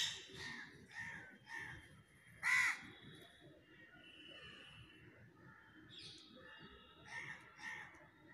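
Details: Crow calling in a duet with a parrot: a series of hoarse caws, one much louder than the rest, with softer answering calls scattered through the recording.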